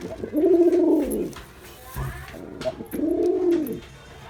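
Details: Male Girabaj pigeon performing: two drawn-out, resonant coos, each rising then dropping in pitch, separated by a pause with faint scuffing sounds.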